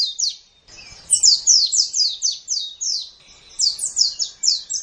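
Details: Master-recording white-eye for training kept songbirds: a long run of rapid, high, down-slurred sweeping notes, about four per second, broken by one short pause, against quiet background.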